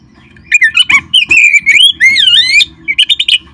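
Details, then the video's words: Oriental magpie-robin in full, loud song meant to get kept birds singing: continuous varied whistles, sharp chirps and long dipping slurs, ending in a quick series of bright notes. "perangsang terb4ik jadikan Kacer Anda nge-play gacor seketika"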